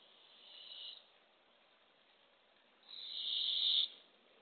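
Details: Barred owls at a nest box, early morning in April 2024, as the female tries to pass a baby opossum to the owlets: a short, softer hiss followed by a louder, longer airy screech.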